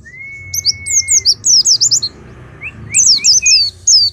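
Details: Oriental white-eye singing rapid, very high twittering bursts of quick slurred notes. A steady thin whistle opens the clip, over a faint low hum.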